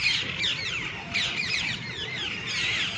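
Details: Green parrots with red beaks gathered at the top of a tree in the evening, chirping together: a dense, overlapping chorus of sharp, shrill squawks and sweeping chirps from many birds at once, continuous throughout.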